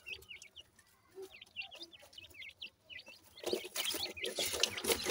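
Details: Several captive-bred grey francolin chicks in Punjab, Pakistan give short, high, clipped peeps in quick loose runs, about two per second, before a burst of loud broadband rustling noise swamps the last seconds.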